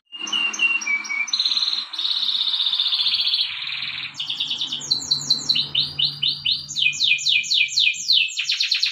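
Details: Morning training song of a canary, opening with clear whistles, moving into a long buzzy trill, then fast chattering rolls and a series of quick sweeping notes.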